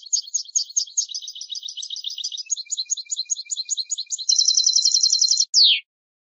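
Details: European goldfinch singing a fast, rolling series of high twittering notes that shift into a dense, even buzzy trill, ending with a single sharp downward-sweeping note; clean background.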